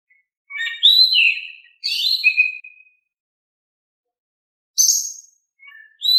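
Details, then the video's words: Oriental magpie-robin, singing in a calm voice to stir silent birds into answering: two fluty whistled phrases with falling slurs, a pause, then a high sharp burst and soft notes. "Kicau Kacer Gacor Suara Kalem cocok untuk bikin Nyaut Kacer Malas Bunyi"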